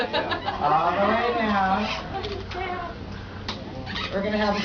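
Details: A parrot talking in a continuous run of speech-like syllables with wavering, gliding pitch and steady loudness, without pauses.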